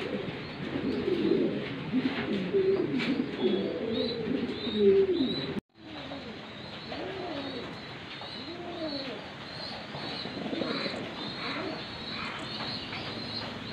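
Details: Fantail pigeons of various colours cooing: several low, rolling, wavering coos overlap, louder in the first half, then softer repeated coos after a brief cut, with faint higher chirps in the background.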